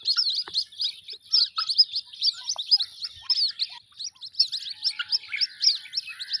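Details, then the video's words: Young white-breasted waterhens give rapid, thin, high-pitched chirps in a steady stream, several birds overlapping, each note a quick squeaky upslur, against an otherwise quiet background. "Jal Murgi k bacho ki awaz|جل مرغی کے بچوں کی آواز"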